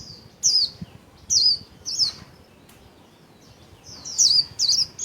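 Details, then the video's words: Pet white-eye fanning its wings while warbling in the líu style: bright high descending chirps in short bursts, a gap, then a faster cluster, over a low background hiss. "KHUYÊN LÍU XÒE CÁNH CỰC KỲ ĐẸP"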